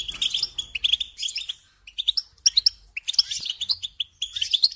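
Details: Goldfinch song for teaching young birds: bubbly bursts of sharp, high chirps and rising whistled notes, delivered in clusters with brief gaps between, clear and close over a quiet low hum.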